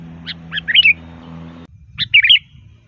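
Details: Sooty-headed bulbul in loud, full-variety lure song for calling bulbuls in forest or at home: two short bursts of bubbly, chirping notes, each a quick jumble of rising and falling phrases, separated by a pause, over a faint low hum that cuts off midway.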